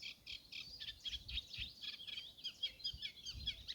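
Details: Eurasian reed warbler (Acrocephalus scirpaceus), seen and identified, sings a continuous chattering, rattling stream of harsh, repeated notes at a fen boardwalk in spring, with low rumbling background noise.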